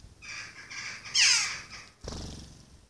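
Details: Hand-helped young Western jackdaw being fed: a soft, nasal lead-in note runs straight into a strident, falling begging screech, then comes a clatter of movement.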